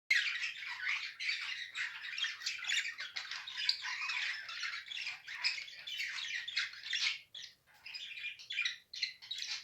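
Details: Mated pair of caged budgerigars calling indoors: continuous busy warbling chatter of rapid squawks, chirps and twitters, steady throughout with brief pauses near the end.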